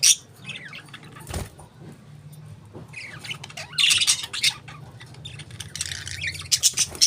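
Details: Pet budgerigars chattering in scratchy high bursts, with a loud click early on and a steady low hum beneath.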